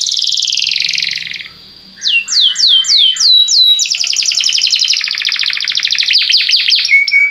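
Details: A buzzy rolling tour from a Belgian canary, a short pause, repeated swooping notes, then a long dense rattling trill ending in a clear whistle; meant to start other canaries singing.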